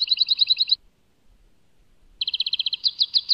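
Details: Goldfinch from Tadmait, Algeria, giving rapid, evenly paced twinkling notes in two bursts, roughly three per tenth of a second, separated by a silence of over a second, with louder ringing notes closing the second burst.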